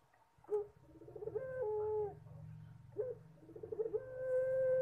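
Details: Collared dove (puter) manggung song: two phrases, each a jerky pulsed lead-in rising into a sustained level coo, over a steady low rumble.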